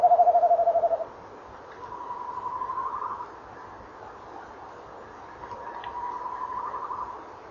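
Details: Tawny owls at a nest box on a November evening, 2013: a male's short trill fades out, then two longer, hoarse, muffled answering calls from the female follow a few seconds apart.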